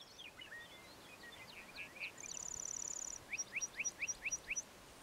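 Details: Lark bunting in southern Saskatchewan, Canada, giving a varied run of sweet whistles and buzzy notes, then a fast dry trill, ending in a series of rising slurred chips about four a second.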